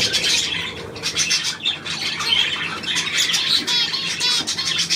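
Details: A group of budgerigars, 9 February 2024, giving rapid, overlapping chirps and scratchy warbles, with slight dips in volume between bursts.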